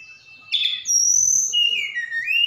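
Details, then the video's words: Javan bush lark from Sukabumi, Indonesia, singing actively, its song said to hold imitations of cililin and sikatan londo: a steady high whistle, a brief buzzy burst, then long clear whistles sliding down and rising again. "Tledekan Gunung Gacor Sukabumi"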